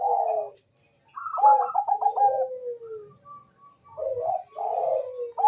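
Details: Bangkok-type zebra dove calling very fast, answered by a rival, recorded for use as a lure; rapid stuttering coos breaking into a quick rolling trill, then a drawn-out descending coo, with a second bird replying after a short pause.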